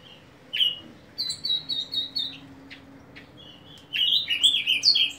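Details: Common nightingale singing, recorded in 2019: a rich phrase of repeated clear notes around five per second, then a buzzy upslurred note and a loud, complex burst of varied whistles and trills; faint low hum underneath.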